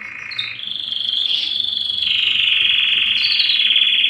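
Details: Belgian canary in strong breeding song to attract females, a dense rolling trill sustained throughout, rising slightly and growing louder toward the end with a brief higher flourish.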